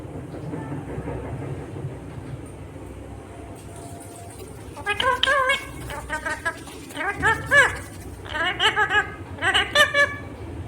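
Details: Talking Indian ringneck parakeet imitating the words "mummy papa"; after a quiet start, a run of short voiced syllables in several bursts, some with rising and falling inflections, indoors with a low background hum.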